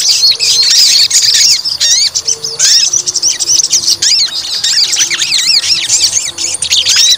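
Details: White-rumped shama provoked to fight in a test of its fighting temper, giving a fast stream of high, sharply rising and falling whistled notes and chevron-shaped phrases, loud and nearly continuous, with faint low background hum.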